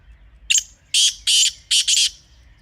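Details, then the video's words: A black francolin in natural surroundings in Pakistan delivers a raspy phrase, a clipped first note followed by four strident, buzzy bursts, over a quiet low background hum. "Real Kala Teetar Sound 2026 | Best Teetar Voice for Hunting | Original Bird Call"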